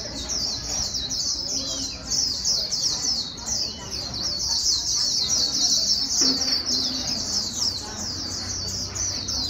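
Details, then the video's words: White-eye singing in the rapid líu style to stimulate a newly caught bird: sustained high, fast-chattering trills, with a few lower swooping whistles and a background murmur. "Kích chim vành khuyên bổi mau líu"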